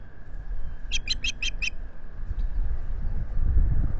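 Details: Osprey at a nest at Salt Point in the Finger Lakes, US, on 25 April 2022, early in the season, caught by a solar-powered nest camera: a quick run of five sharp, whistled chirps, then wind rumble and low banging of the camera housing.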